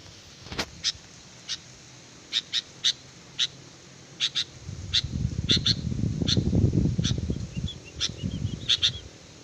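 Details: Sooty-headed bulbul song used as a lure: short, sharp high notes, often in pairs, scattered irregularly over several seconds, with a stretch of low rumbling noise in the middle.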